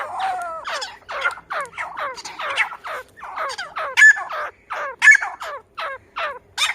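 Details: Repeated scratchy, downward-sweeping notes from a grey francolin, roughly one a second, uneven in loudness, with stronger bursts near the end.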